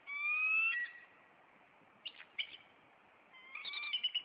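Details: Bald eagles in Maine in late April, a nest pair chasing off an intruder; a long, clear, rising whistle, then scattered sharp chirps after a quiet gap, and a final burst of high piping notes.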